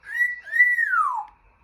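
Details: Pet African grey parrot kept indoors, known for clicks, squeals, pops and electronic-sounding mimicry, gives one clear whistle that holds level, dips briefly, then rises and slides smoothly downward over about a second.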